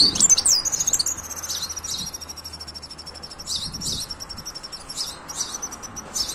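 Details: European goldfinch song, a stream of thin, very high twitters and tinkling notes in rapid sequences, with a steady high tone running underneath.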